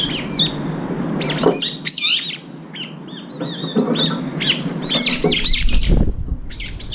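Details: Brown-eared bulbuls, two or three at a time, gathering at a window feeder to eat: scattered short, high, slurred call notes, some quickly repeated, over a steady background hum and occasional low thuds.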